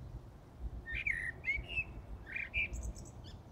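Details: Night song of a common blackbird in Brussels, Belgium, before dawn on 15 January 2018: mellow whistled notes in two short bursts, closing with a high scratchy twitter, over steady low background hum.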